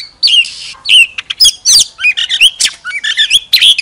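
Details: Oriental magpie-robin decoy in full song with tail fanned, giving a varied medley of clear whistles, rising and falling slurs, and quick chirps in a steady, lively flow.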